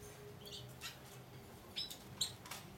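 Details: Captive breeding pair of Black Siskins (Carduelis atrata) mating in a birdroom gives a few short, high, thin chirps, some slightly buzzy, spaced irregularly over a few seconds against a quiet low hum.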